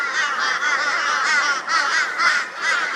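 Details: Crows join forces against a barn owl in Brisbane, Australia, 22 February 2022. Many birds give a dense, unbroken chorus of loud, raucous, wavering calls.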